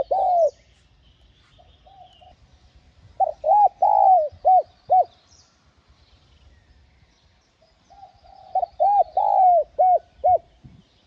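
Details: Spotted dove cooing, used to excite newly caught wild doves into singing. Two bursts of clear, hollow coos are separated by a long quiet gap. Each burst holds about five to six arched notes, some drawn out, some clipped short.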